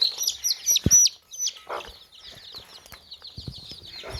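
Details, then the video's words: Baby chicks in a tokri basket: loud piercing peeps at first, then a softer continuous chirping chorus, with a few short, deep clucks and thumps in between. "Baby Chicks Chirping Sounds In Tokri | Chicken's Chicks Sounds and Chickens Clucking Sounds"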